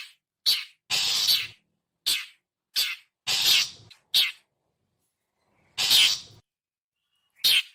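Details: Long-tailed shrike giving its characteristic call, used as a lure for wild birds: harsh, rasping bursts, some short chacks and one longer grating screech, about eight notes spaced irregularly with silent gaps between.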